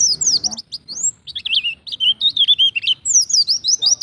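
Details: Ngalas-style Oriental white-eye song serving as a trigger for pleci to start singing: quick high twitters and down-slurred whistles run together in a lively, unbroken warble, with faint low background rumble.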